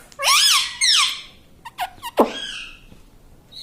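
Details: Pet parrot that is said to copy words like mummy and mitthu produces two loud wavering word-like syllables, then several short squeaks and a sharp downward-sliding squawk indoors.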